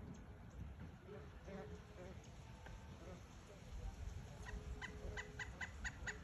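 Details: A pileated woodpecker in the Florida Everglades on Christmas Eve gives a quick run of about ten sharp, ringing notes in the last two seconds, over steady low rumbling background noise and faint softer bird sounds.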